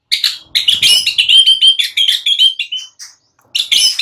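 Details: White-rumped shama singing in the morning, used to stimulate silent birds into responding: dense run of bright whistled and chattering notes, rapidly repeated, a short pause, then another burst.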